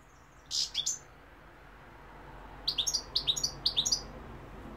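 A European goldfinch gives bright, tinkling chirps, a quick opening burst followed by three rapid, liquid triplets high in pitch, against a quiet room.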